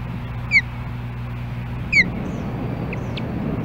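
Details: At a nest in Hellgate Canyon, Missoula, Montana, a female osprey calls for her mate, July 14, 2016, nest camera: two piercing descending whistles about one and a half seconds apart, then fainter thin notes, steady background rumble.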